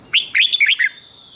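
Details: Red-whiskered bulbul song played for young cage birds to copy: a quick phrase of about five bright, slurred whistled notes rising and falling, clear and close, ending in a soft fade.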